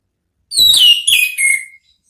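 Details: Orange-headed thrush singing ngeplong as a therapy song to coax another thrush into replying: three linked whistled phrases, each dropping in pitch, the last drawn out and falling.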